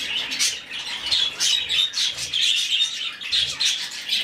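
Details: A rescued, hand-fed budgerigar chick gives harsh, raspy begging squawks in rapid bursts about every half second, high-pitched and insistent, with nothing else heard.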